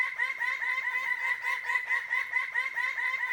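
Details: Displaying male greater birds-of-paradise, dancing with females nearby, give loud, nasal, laughing notes in a fast, steady run of about two a second, the harsh chatter continuing without pause.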